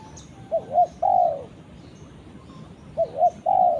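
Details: Two cooing phrases from a spotted dove calling its companion, each two brief rising-falling notes then a longer descending coo, repeated about every two and a half seconds.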